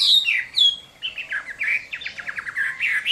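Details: Short burst of a Chinese hwamei's fighting song at summer midday, Vietnam: bright descending whistles followed by a quick series of clipped, stuttering notes and a final rising whistle.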